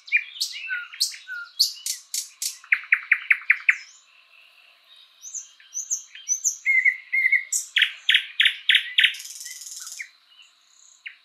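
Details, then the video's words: Thrush nightingale, Luscinia luscinia, in spring woodland: bursts of loud repeated hammering notes, a pause of soft twitters, then another fast series of chops and a dry buzzing rattle. "Bird sounds Nightingale bird singing"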